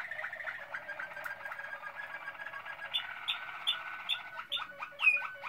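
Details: Malinois Waterslager canary song recorded in 2016: a soft bubbling roll, then a string of bright, repeated high notes and a few clipped descending chirps.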